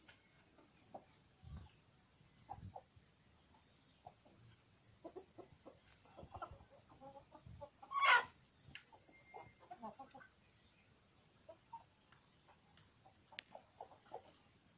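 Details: Rose-combed rooster, a cross of Polish chicken and Indonesian village chicken: scattered short clucks, with one loud, harsh squawk standing out midway.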